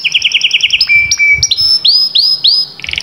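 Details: Canary in full song: a quick run of high chipping notes, then drawn-out slurred whistles sweeping downward, finishing with a short, fast, bright trill.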